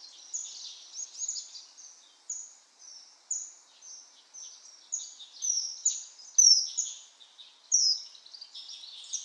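Common kingfisher giving shrill, thin whistled notes, each sharply falling, repeated irregularly about every second or two, sometimes in quick doubled bursts.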